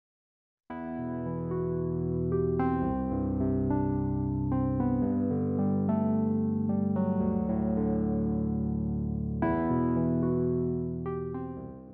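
Sustained electric piano chords with layered harmonics play throughout, with no animal voice audible.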